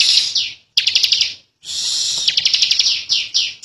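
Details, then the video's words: Ngebren song of a young bar-winged prinia, an Indonesian endemic: strident high buzzy trills with fast rhythmic pulses, a sharp stuttering burst after a short pause, then a long sustained buzzy phrase ending in falling chirps. "Ciblek Kali | Cikal Super Ngotot Ngebren Rapet Panjang"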